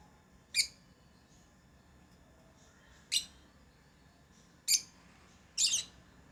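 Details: Tame lovebirds giving single high, scratchy chirps at irregular gaps of one to two seconds; the last is a doubled note.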